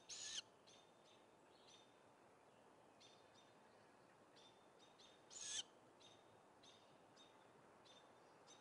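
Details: Great grey owl nestlings at a nest on 17 May 2017 give harsh, hissing screeches, begging and competing for a rodent as the youngest tries to take it from a sibling.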